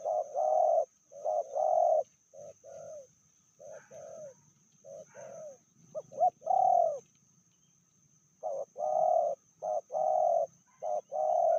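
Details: Female spotted dove, described as fiercer than the male, giving a medium-volume call: low, hollow coos in short groups of two or three notes, repeated with brief pauses; a steady high hiss runs underneath.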